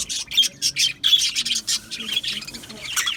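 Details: Australian budgerigars in an aviary colony, recorded 12 July 2025: a dense chatter of short, harsh squawks and chirps in quick bursts, overlapping calls from several birds, with a low hum underneath.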